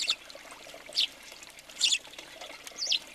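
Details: House sparrows at a feeder in Recke, Germany, in January 2020, where many birds gather; four short, bright chirps spaced about a second apart over a steady, rushing, water-like background hiss.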